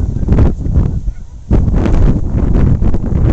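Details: Canada geese on the Saskatchewan River, Saskatoon, on a very windy day: a short burst of nasal honking heard through strong gusting wind, captured with a camcorder.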